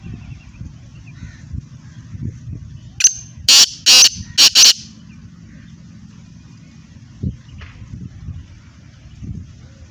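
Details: A captive black francolin gives a single loud phrase: a sharp opening note, then four harsh, grating syllables in quick succession, with low rumbling background noise throughout.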